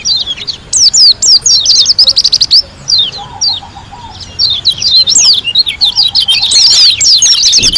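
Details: Energetic song of a white-eye from Lombok: dense bursts of high chattering notes, a quieter warbled passage, then a loud tumbling finish, with a soft low whistled phrase in between.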